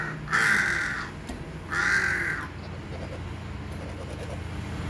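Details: Two strong, rasping hornbill honks in quick succession, roughly a second and a half apart, each lasting under a second, against a constant low droning hum.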